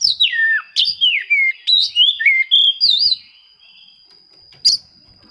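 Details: Oriental magpie-robin singing a rival-seeking song used to provoke silent birds; a string of loud descending and wavering whistles, then near quiet with one final sharp note.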